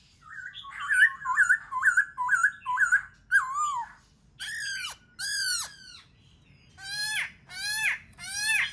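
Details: Black-throated laughingthrush in song, used to prompt other birds to sing and dance: a rapid series of short repeated whistled notes, then loud, strongly harmonic rising calls at intervals.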